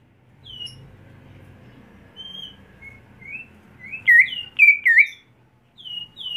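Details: Home-kept greater green leafbird in training for songbird contests. Soft scattered whistles, then three loud, looping whistled notes close together, followed by softer falling whistles.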